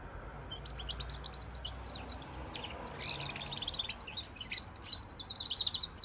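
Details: Goldfinch × canary hybrid singing a quick, twittering run of high, thin notes and short trills, soft and continuous, building to a denser burst of chirps toward the end over faint low background hum.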